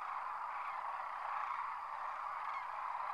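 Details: Short burst of a massed sandhill crane chorus as thousands take off from their winter roost at Whitewater Draw, Arizona; steady blended calling without breaks.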